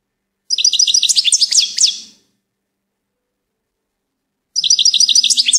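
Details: Twittering goldfinch song phrase of rapid, tinkling high notes, then a long pause before a second lively burst begins.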